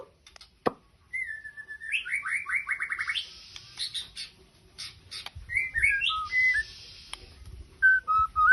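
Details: White-rumped shama song of clear whistled notes, a rising run of quickly repeated slurred notes, high buzzy passages and sharp clicks, ending with separate falling whistles over light background rumble.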